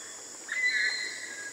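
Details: Tanimbar eclectus giving a high-pitched, ear-splitting scream: one drawn-out, slightly wavering harmonic note about a second long, loudest near its start, over a steady high insect hum.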